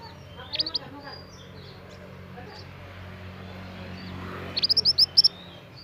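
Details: Scarlet minivet, a young bird from the wild, gives a quick pair of shrill high notes, then after a pause a rapid run of about six bright, thin whistled chips in close succession.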